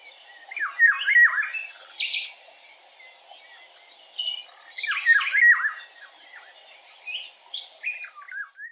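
Eurasian golden oriole giving rich, fluty whistled phrases about every four seconds, mixed with some harsher, squawky notes at a mid to high pitch.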